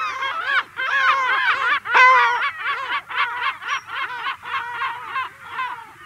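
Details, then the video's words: Lesser black-backed gull adult, recorded close up, calling before attacking a juvenile: a fast run of loud, nasal, laughing yelps, about four per second, each with a downward-bending harmonic stack, peaking midway and then tapering off. "Lesser Black-Backed Gull. CU Adult Giving Long Calls, Then Attacks Juvenile."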